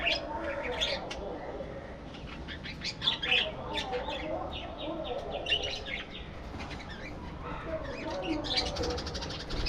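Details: Colony of budgerigars in an aviary with busy twittering, high squeaks and rasping chirps that overlap in waves, set against a low steady hum.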